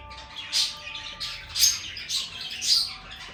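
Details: Lovebird chirping in a small room: four or five sharp, squeaky high notes spaced about half a second apart, against a quiet steady hum.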